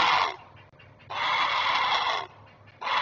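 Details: Adult great blue heron alerting while it protects its offspring at a camera-watched nest, 19 May 2023: two long hoarse rasping squawks, the second over a second long, separated by a short pause, with faint background hum.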